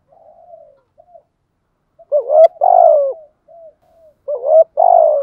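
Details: Decoy spotted doves, both sexes, cooing to urge other doves to answer; faint soft coos at first, then two loud phrases of a clipped note plus a drawn-out, gently falling rolling coo.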